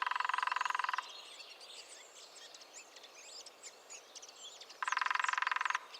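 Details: New Forest lesser spotted woodpecker: the tail of one fast drum roll, then chattering songbirds, then a second even, rapid roll of just under a second.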